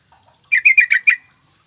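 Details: Lure call of the Sooty-headed Bulbul for making mute bulbuls answer: five slower, harsher chattering notes in under a second, cleanly recorded with a quiet background.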